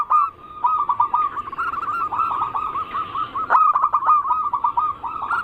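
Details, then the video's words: Zebra dove song in the anggungan style, meant to prompt other zebra doves to sing: a continuous stream of quick, rounded cooing notes, purring and rolling, with a burst of clicks near the middle and a stronger trill at the end. "Pancingan burung perkutut paling ampuh penarik Bunyi semua jenis burung perkutut Anggungan"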